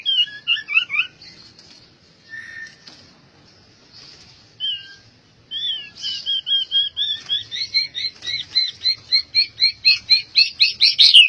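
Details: Albino white-rumped shama with soft scattered phrases, then a long accelerating series of rhythmic repeated notes, about two per second, growing louder to the end.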